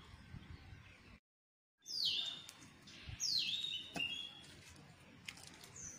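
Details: Bulbul singing on a morning in a home garden: a few bright whistled phrases sliding down from high to lower pitch, about two seconds apart, over a steady background hiss.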